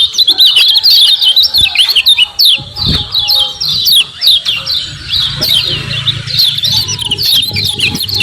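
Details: Common iora 'ciak ciak' chatter for luring other ioras: busy, repeated high downslurred chirps throughout, with a low droning hum in the later part.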